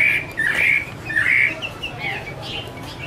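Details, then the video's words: Chinese hwamei female giving 'mái te' song with a male bird behind: short harsh bursts and slurred whistles in quick, loosely spaced pairs, fading to softer higher notes, with a constant low background drone. "Chim hoạ mi: Mái te đỉnh cao của năm _ có chim trống làm nền"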